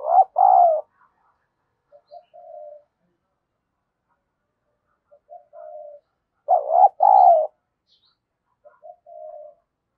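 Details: Decoy spotted dove calling to provoke rival doves: a loud double coo of low wavering hoots, followed by soft flat trailing notes, the whole phrase repeated about six seconds later in a quiet setting.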